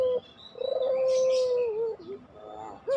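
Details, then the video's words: Puter pelung dove song with a long, level, resonant coo lasting over a second that sags slightly at its close, framed by brief lower notes; light high-pitched bird chirps behind. "masteran puter pelung"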